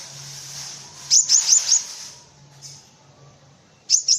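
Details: Cinereous tit (gelatik batu) song for tutoring white-eyes and other birds: a quick run of four high, sharp repeated notes, a brief pause, then another short burst of three notes.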